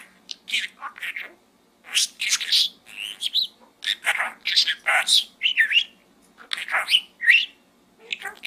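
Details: Pet budgerigar talking and chattering from inside a small gourd indoors, a dense run of scratchy, warbled chirps and squeaky whistles in quick bursts with only short gaps.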